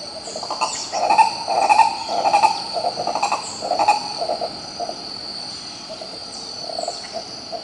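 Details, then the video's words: Green ibis in Pirenópolis, Goiás state, Brazil, giving loud, hoarse repeated notes in bursts through the first half, then softer scattered hoots, with a constant high-pitched insect whine behind. "Canto do Pássaro Coró coró, Som do CORO CORÓ CANTANDO"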